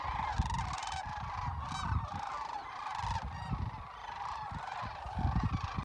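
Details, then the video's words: Cranes arriving, giving loud, harsh honking calls that repeat and overlap from several birds, with a steady mid-pitched trumpeting tone, over heavy low rumbling of wind or handling noise. "Cranes Arrive"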